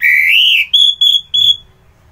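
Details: Orange-headed thrush phrase: a loud, pure whistle sliding upward, then three short, level, ringing notes in quick succession.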